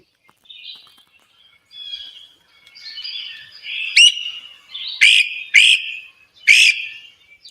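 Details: A Great crested flycatcher in Upstate New York, in its most commonly heard call: soft burry chattering notes, then four loud, sharp, rising 'wheep' calls about a second apart, high and ringing.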